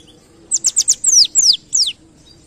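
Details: A short white-eye phrase in canary-like 'kenarian' style: four quick high notes followed by three longer, drawn-out whistles that slide steeply downward. Quiet hum behind.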